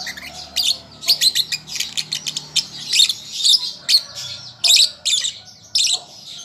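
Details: Young lovebird in song practice: quick strings of piercing, scratchy chirps, some closely bunched, others spaced out, with a soft steady hum underneath.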